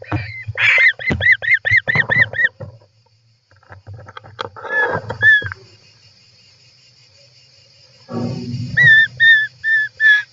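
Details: European roller in the nest, inside-camera view, July 18, 2024: a rapid run of arched, chirped notes about six per second, a pause with scuffling, then a slower series of similar arched calls over low knocking.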